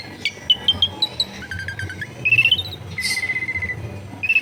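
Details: Caged long-tailed shrike at a house in a dense residential area, producing clear whistled notes, some rising, some held flat, interspersed with quick ticking chirps, over faint low background hum.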